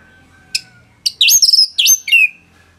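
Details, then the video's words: Orange-headed thrush singing a tight, lively phrase meant for training other songbirds: a sharp click, then several high looping whistles rising and falling, ending in a lower descending slur, all over a quiet background hum. "ANIS MERAH Gacor Suara Rapet Bagus Untuk Memaster Burung Punglor"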